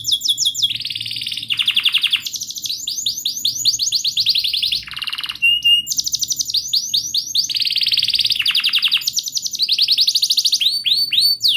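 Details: Long, continuous canary song meant to coax a silent canary into singing: fast rolling trills alternating with rapid descending whistled sweeps and brief lower buzzy rolls, with hardly any pause.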